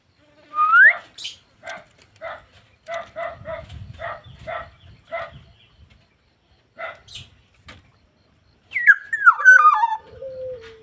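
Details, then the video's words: ['Black-naped oriole singing vigorously (gacor). It opens with a rising whistle, then gives a long series of short nasal, buzzy notes at irregular intervals. The clip ends with a loud, fluty descending phrase and a low, drawn-out note.'] "BURUNG PODANG GACOR"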